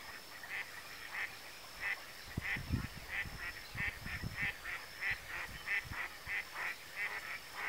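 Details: Adult male pin-tailed sandgrouse, a vagrant far from its inland steppe habitat, at the Tancat de Milia reserve, Sollana, l'Albufera, Spain, on 1 June 2013. Nasal notes repeat about 92 times a minute over a steady hiss, with low thumps.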